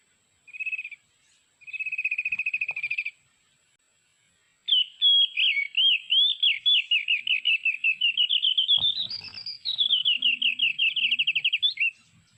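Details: Mountain white-eye from Sulawesi, a recording played from MP3 as a lure for trapping with bird lime; short high trilled bursts, then a long rapid twittering warble rising and falling, with faint clicks in the background.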